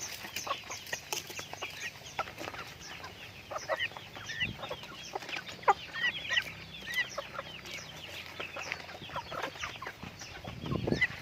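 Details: Pet chickens clucking and peeping continuously, short curved notes dropping in pitch, overlapping at an uneven pace, with occasional sharper squeaks and scratching sounds.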